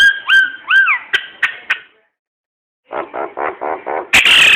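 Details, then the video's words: Nias hill myna singing, a song used to coax other birds to sing. It begins with loud, clear bent whistles and sharp clicks, then pauses. A run of nasal, throaty pulsed notes follows, ending in a harsh, loud blast. "Suara kicau burung jalak nias cocok untuk pancingan"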